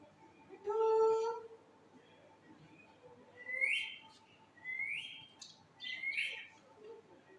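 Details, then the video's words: Parrot calling in a room with a steady hum: one harmonic squawk, then three rising whistled calls spaced about a second apart. "my new parrot voice"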